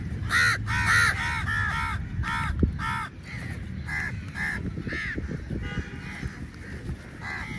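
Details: Many crows struggling over meat: loud hoarse caws crowd together at first, then thin out into scattered calls, with a knock and a low rumbling background.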